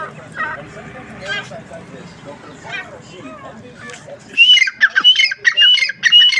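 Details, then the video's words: Grey francolin (teetar) calling: after about four seconds of faint background murmur, a loud burst of harsh, ringing notes with whistled slurs begins and repeats in quick, uneven phrases to the end. "bhora teetar ki boli,gora teetar ke awaz,dakhni teetar voice"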